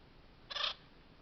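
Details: An acorn woodpecker drinking at a stump water hole gives a single harsh, raspy squawk about a quarter-second long, nasal and fairly high, against a quiet background.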